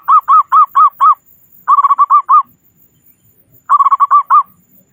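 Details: Zebra dove song from a local, loud-voiced bird, meant to prompt other doves to sing: three bursts of rapid, staccato cooing notes, five to seven notes each, separated by short pauses.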